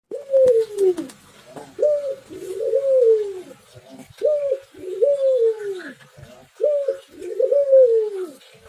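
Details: Spotted dove singing persistently, with two unusual voices: a run of arched, mellow coo phrases, each rising then falling, repeated every second or so in uneven bursts. A few faint clicks sound in the background.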